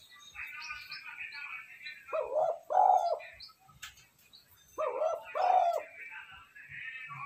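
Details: Lure call of a spotted dove for drawing out wild doves and training decoy birds: two rough, low coo phrases about three seconds apart over steady, busy chirping and twittering of other birds.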